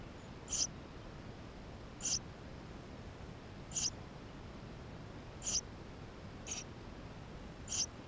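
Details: Eurasian tree sparrow nestlings within the nest give thin high peeps, about one every one and a half seconds, mostly evenly loud, over soft hiss; captured with a GoPro.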